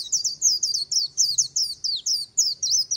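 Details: White-eye singing the líu style beside the Kỳ Cùng river: a continuous run of very high, thin, rapid twittering notes in quick bursts, each burst sliding up and down, with a faint low hum underneath.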